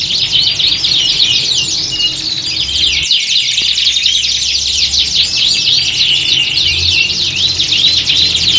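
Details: Several canaries singing together in a contest-like setting meant to toughen competition birds; a long, dense stream of high twittering trills and zigzag sweeps, barely pausing, with a soft low hum and a brief dip near three seconds.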